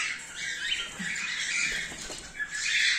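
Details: Breeding colony of cockatiels, cream face ino and normal grey birds, in the 2024/2025 season; dense, harsh overlapping screeches and chatter from many birds at once, continuous throughout.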